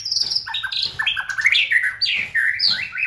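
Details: White-rumped shama song played as a lure to provoke singing in other birds: a rich, fast run of varied whistled phrases, sliding notes and trills shifting between low and high pitches without pause.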